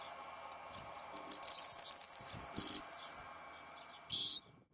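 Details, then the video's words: In the breeding season a Corn bunting sings at a hide in the morning: spaced ticks speed up into a high jingling rattle ending in a short buzzy phrase, followed by a brief separate buzzy note. "Triguero cantando"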